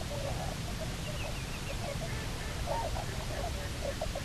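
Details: Returned Bermuda petrel pair on their nesting island, Nonsuch Island, October 2018. Rapid squeaky notes come in bursts, with a sharper cluster near the end, against heavy low background noise.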